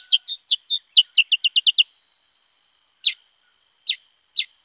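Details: Singing male Black-headed Bulbul delivering a rapid run of about ten clipped, downslurred chirps. A pause follows, then four spaced single chirps over a faint steady hiss.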